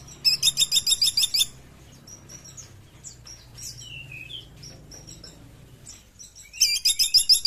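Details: Sunda pygmy woodpecker trilling twice, each a rapid run of high, sharp ticking notes, with soft high chirps and a few downslurred whistles from other birds in the pause between.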